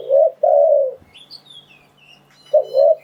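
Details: Spotted dove lure call for trapping wild doves: two soft coos, the second long and sustained, then a gap filled by faint high chirps from other birds before paired coos resume.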